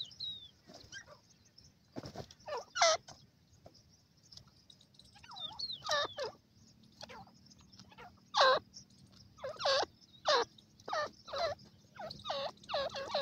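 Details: Francolin, called teetar, calling in India: a loose series of harsh, harmonic, bent notes in short bursts. They build into denser, louder clusters toward the end over a faint low hum.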